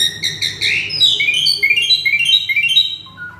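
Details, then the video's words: Agitated caged male Asian pied starling singing a full mimicry repertoire. A loud buzzy burst gives way to a run of clear whistled notes that step downward, ending in two softer high whistles. "Si Jalu Emosi | Suren Ngamuk | Full Isian"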